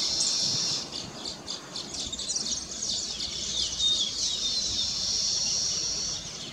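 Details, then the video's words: Many weavers perched on newly completed nests, singing in celebration: thin, high twittering and buzzy chatter from a crowd of birds, with clusters of sharp notes over a steady hiss of background calls. "Weaver Bird Songs"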